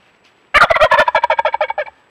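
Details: A strutting male Eastern wild turkey (Meleagris gallopavo silvestris) hears a distant gobbler and answers with one loud, rapid, rattling gobble of about a dozen throaty notes, quickening then fading in under two seconds.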